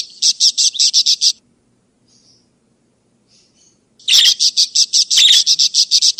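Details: Budgerigar chatter played to lure escaped birds or to tutor other birds: a quick run of sharp chirps, a quiet stretch with soft faint notes, then another rapid chirping run with harsh accents.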